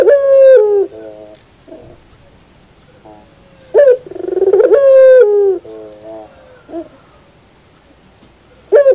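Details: Puter pelung dove singing in the morning: loud coos, each a sharp rising onset into a long level note, trailing into softer lower hums, with quiet pauses between phrases.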